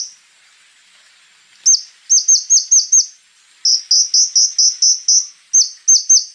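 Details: Scarlet-backed flowerpecker in rough-burst song: after a quiet start, rapid runs of sharp upslurred high notes, about six then eight in quick succession, and a final trio.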